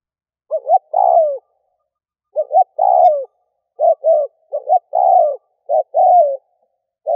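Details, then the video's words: Spotted dove giving decoy calls to lure wild doves: soft quick double notes followed by drawn-out falling coos, repeated in uneven bursts; a faint high click is briefly heard. "Cu mồi kèm || Tiếng chim cu gáy kích bổi nhanh nổi"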